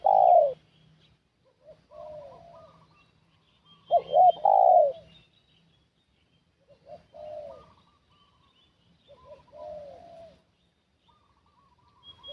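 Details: Spotted dove decoy luring wild doves: a loud coo at the start and a double-noted coo phrase near four seconds, with quieter answering coos at intervals between.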